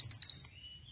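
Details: Ashy tailorbird, presented as a strong lure song for getting these birds singing: three or four quick, very high, upward-sweeping chirps packed into half a second, then a faint thin whistle trailing off into quiet.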